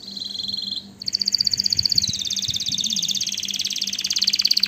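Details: {'text': 'Canary song: a brief steady high trill breaks off, then a loud, rapid, bubbling roll of repeated notes follows and slowly shifts in pitch, over a constant low hum.'}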